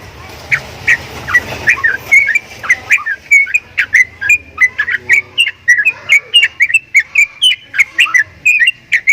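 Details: Strange-sounding Javan myna: after a hissy, rumbling start, a long rapid series of short whistled notes with clicky attacks, about three per second, pitch slightly stepping up and down.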